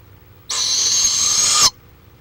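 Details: Florida barred owl, live camera footage from March 23, 2015: a harsh, noisy screech of roughly 1.2 seconds that swells slightly and ends sharply, otherwise quiet.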